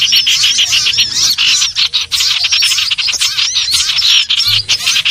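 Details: Common iora lure sound for trapping birds: crowded bursts of sharp chirps and thin whistles, repeatedly pausing briefly then surging again in a restless, noisy chorus.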